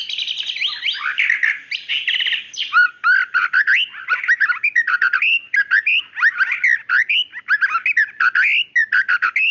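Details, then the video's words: Female white-rumped shama calling the male: a long, continuous, highly varied song of quick trills, whistles and rattling phrases, with barely a break. "suara murai batu gacor tembakan tajam"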